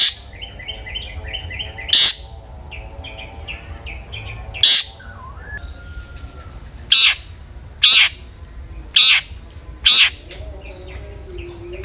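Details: Long-tailed shrike in full, open-voiced song, played to coax other shrikes into singing: scattered grating, scratchy bursts at irregular intervals, interspersed with faint short whistled notes and a thin sliding tone, over low hum.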